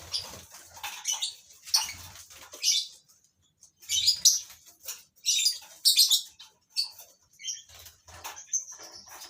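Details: Colony-bred lovebirds chattering: shrill, scratchy high-pitched bursts come in uneven groups separated by short silences, ending with a few thinner whistled notes, and faint low knocks underneath.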